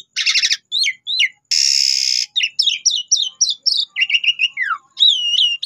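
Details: Asian pied starling lure song: a harsh stuttered burst, short whistled slurs, a long loud rasping note, then a quick series of chirps and a falling whistle, ending with rising looped whistles.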